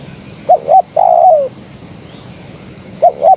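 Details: A female spotted dove calls to attract the male. She gives two quick coos and then a drawn-out, falling coo. After a pause of about two seconds, the paired short coos start again over a faint low hum.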